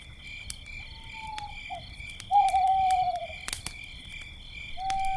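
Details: Owl hoots at night beside a campfire: a long even whistle, a short note, then a louder prolonged falling hoot and another starting at the end, with crickets chirping steadily and fire snapping.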